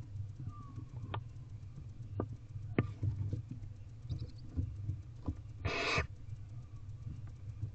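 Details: Barn owl owlets being fed in nest box C at 8:05 pm on 18 April 2023; a single short hissing screech stands out against steady background hum and scattered clicks.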